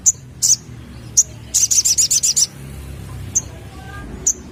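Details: Sogon sunbird lure sound for young birds: a few scattered high chips lead into a short, rapid trill of piercing notes, followed by two more spaced chips.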